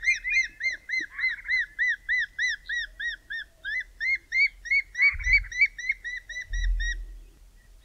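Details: Two Spotted thick-knees calling at dusk in midwinter in the southern Karoo: a long series of loud, clear, arched piping notes, three or four a second, briefly overlapping near the end, with low wind thumps.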